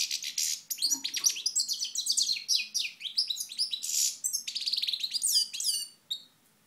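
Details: A European goldfinch in Moknine in 2012 sings a fast, tinkling run of liquid twitters, trills and buzzy notes, nearly without pause for six seconds, with a faint low hum behind.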